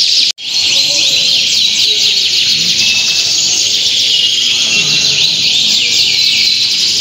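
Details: Many canaries singing together at a singing contest in the Linggarjati auditorium, Kuningan, on Sunday 11 June 2023. A dense, continuous wall of high, rapid trills and twittering runs from start to end, broken only by a brief cut near the start.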